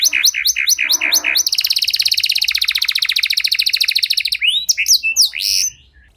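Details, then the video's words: Canary in long varied song, meant to stir other canaries into singing: several choppy repeated phrases, a long fast even trill of high chips, then rising slurred whistles before fading out. "Kenari Gacor Durasi Panjang Cengkok Istimewa! Efektif Buat Memancing Kenari Macet Biar Gacor Kembali"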